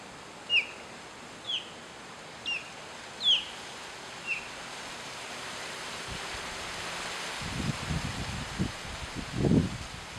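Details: An osprey in Florida gives five sharp, high, down-slurred whistled chirps, about one a second, followed by low wind rumble and rustling.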